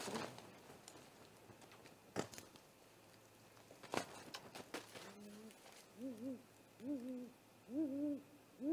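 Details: Great horned owl attacking a great gray owl at its nest, live nest camera, 30 March 2018 just after midnight; scattered thumps and knocks, then a series of short arched tonal calls with harmonics, roughly one per second.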